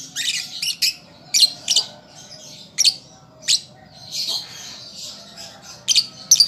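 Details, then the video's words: Young lovebird learning to sing, a lure recording meant to prompt a reply: bursts of sharp, high chirps and squeaky twitters in short clusters, separated by brief pauses, with a faint steady hum beneath. "Pancingan Lovebird Paud Belajar Bunyi"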